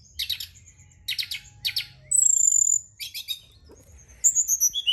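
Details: Stimulation recording of brown-chested jungle flycatcher for evening use: short dense bursts of chattering notes about once a second, a sustained high pure whistle, then a descending string of sweet whistled notes.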